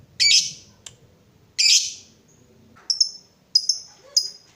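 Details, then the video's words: Fighter lovebird used to encourage other lovebirds to sing: two rough, buzzy squawks, then three thinner, sharp high chirps with short tails, about every half second. "PANCINGAN SUARA BURUNG LOVEBIRD UNTUK MERANGSANG LB APAPUN CEPAT NGEKEK"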